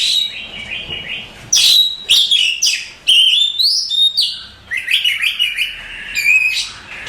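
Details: Champion contest Oriental magpie-robin singing a dense, varied song of bright whistles, fast chatter and steep rising and falling sweeps, with phrases tumbling one after another.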